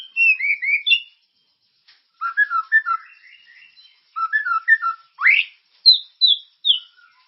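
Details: Energetic white-rumped shama song serving as a stimulating lure: falling whistled phrases, a pause, soft twittering, then bouncing paired notes, one steep upward sweep and high downslurred whistles.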